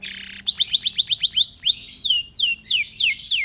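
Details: Canary song used as a lure to set other canaries singing: a short buzzy burst, then fast rising chips and a run of loud, clear whistles sweeping downward, each repeated about every quarter second.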